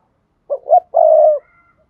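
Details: Spotted dove calling, played to stimulate other doves. One clear low coo: two quick short notes, then a smooth sustained note lasting about half a second.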